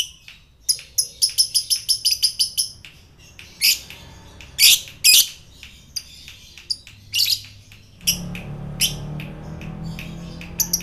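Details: Lovebird fighter calls meant to trigger other lovebirds, from Indonesia: a burst of rapid high chattering, then irregular loud rasping squawks, with a low hum entering near the end.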